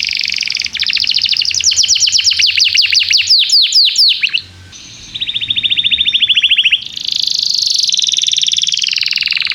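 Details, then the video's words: Lively canary song meant to stimulate young canaries to pick up singing: fast high trills and sharp descending sweeps, a short gap, a steady even trill, then a long buzzy high-pitched roll. "Kenari gAcorr cuit cuit emosi, Pancingan untuk kenari Paud belajar bunyi"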